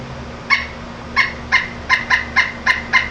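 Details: Pileated woodpecker calling with short, loud, ringing notes, eight in three seconds, spaced unevenly and coming a little faster toward the end, over a faint steady hum.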